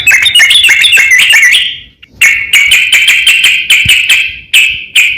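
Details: Yellow-vented bulbul singing to provoke replies: a rapid rising chatter, a brief break, then a run of sharp, even notes on one pitch.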